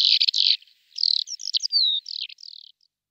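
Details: Lesser short-toed lark, male in flight, calling and singing, song including mimicry: buzzy chirps followed by a string of short slurred whistles and falling notes, high and clear against silence.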